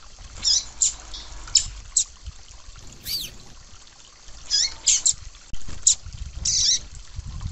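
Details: A female Rusty-collared seedeater (papa-capim) call, used to excite a kept male into song, gives thin, very high chips and short squeaky notes, spaced irregularly, over a faint low rumble.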